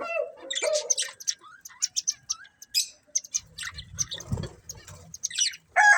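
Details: Two budgerigars kept as a breeding pair give quick, high, clicky chirps and short whistled notes, broken by a few gaps, with a soft low rumble in the background midway.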